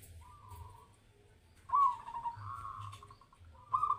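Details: Zebra dove (perkutut) singing in a mental test. A faint short coo first, then a louder phrase of quick staccato cooing notes that runs on and slowly fades. A new phrase starts at the end over a constant low hum.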